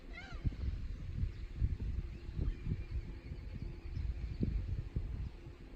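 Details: Gull on the rocky coast at Takide, Noto Peninsula, Japan, recorded 12 May 2019. Opens with one quick rising-falling harmonic cry, then only steady crashing waves and low rumble for the rest.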